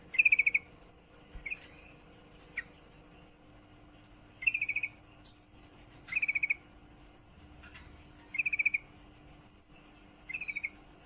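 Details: Female yellow-vented bulbul in heat calling to a male, repeating short chattering trills of about six rapid notes roughly every two seconds, with scattered single clicks between bursts.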